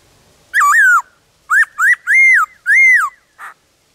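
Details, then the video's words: Wild black-throated laughingthrush singing in the forest with many voices: clear, loud whistled notes, first a long wavering phrase, then a run of short rising and falling slurs, ending with a brief rough note. "Khướu bạc má hót ngoài rừng Nhiều Giọng kích khướu nhà hót theo"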